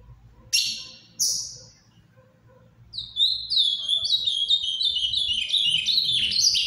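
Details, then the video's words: Ultramarine grosbeak, azulão farrapo, giving a paraná-style song: after two short bursts near the start, a fast, continuous warble of high, sliding notes runs to the end. "AZULÃO CANTANDO MUITO (AZULÃO FARRAPO)"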